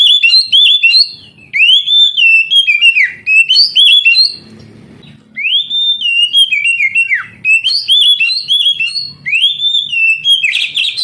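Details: Kacer (oriental magpie-robin) song to rouse lazy young canaries into singing: two long runs of loud, fast, varied whistles, slurs and chirps, with a brief quiet gap holding a soft low murmur.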